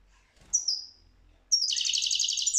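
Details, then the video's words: European goldfinch singing: a single thin whistle sliding downward, a short pause, then a dense buzzy trill of rapid repeated notes held for about a second. "تغريد الحسون"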